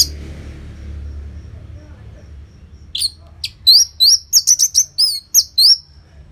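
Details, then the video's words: Orange-headed thrush in loud, continuous song, played to encourage silent caged birds to join in: after quiet hum, a quick series of ringing, upward-flicked whistles in close succession. "Pancingan & Masteran ANIS MERAH Gacor Jeda Rapet Suara Keras || Burung Macet Pasti Ikutan Bunyi."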